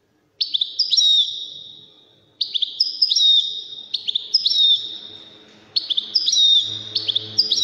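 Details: Wedani-style song of a European goldfinch from Morocco: short liquid twittering phrases, each ending in a slurred whistle, repeated about every second and a half to two seconds, with gaps between.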